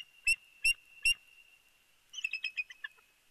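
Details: Big Bear bald eagle at the nest in early morning, heard through a live nest camera: three evenly spaced, sharp high piping notes, a brief pause, then a softer jumbled chatter of quick chirps, over a thin constant background tone.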